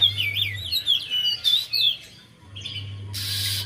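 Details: Lure song of a Javan white-eye, played to coax a bird that is reluctant to sing: quick high warbling phrases with wavering whistles, a short pause, then a brief hiss of noise, with a low hum beneath.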